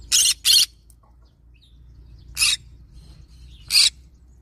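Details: Yellow-sided green-cheeked conure gives four harsh, raspy screeches, two quick ones together, then two more spaced over the next few seconds, over a quiet low hum.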